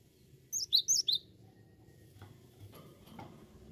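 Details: Cinereous tit singing vigorously: two quick high two-note phrases, each a thin upper whistle dropping to a lower note, then quiet with a few faint knocks and room noise.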